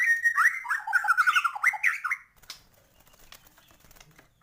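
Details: White-rumped shama delivering gacor song with full isian fill-ins: two seconds of quick, jerky, fluty phrases rising and dipping, then near silence.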